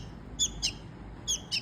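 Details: Hand-fed rescued baby bird begging for food, giving four thin, high-pitched squeaky chirps in two spaced pairs, short and piercing, with faint low room hum beneath.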